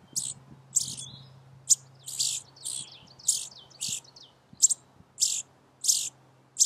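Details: At a front-yard nest in Vermont, as the last fledglings leave, Indigo Buntings give sharp, very high chips, about eleven in under seven seconds, at a steady, fairly quick pace over a faint low hum. The father chips to track his family while young are fed.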